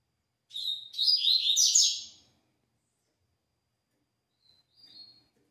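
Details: A double-collared seedeater gives its "tui tui" song type: a short, high, buzzy trilled phrase lasting under two seconds, followed by silence and two faint, thin notes.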